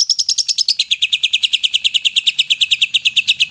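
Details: A greater green leafbird in full song, used to coax quiet leafbirds into singing, delivers a rapid run of sharp, bright chirps, about eight a second, starting high and stepping down to a steady lower trill; faint low hum beneath.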